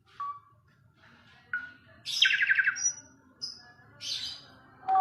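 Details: Fairly quiet Asian pied starling song: spaced short whistles, a rattling buzzy burst, and high thin notes separated by pauses.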